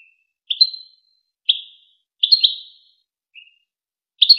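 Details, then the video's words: European goldfinch tutor song for young goldfinches and hybrids: spaced bright chirps with slight trailing whistles, one soft low note, about one call per second; no other sounds present. "شريط وكر توزغة الشهير لتسميع فراخ الحسون و الهجين"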